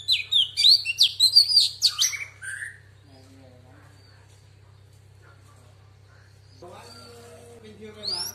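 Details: A female Oriental magpie-robin sings in a wild-type voice, used to stimulate males, a quick burst of varied, sweet whistled notes for about two seconds. A steady low hum follows, then a short low voice-like sound.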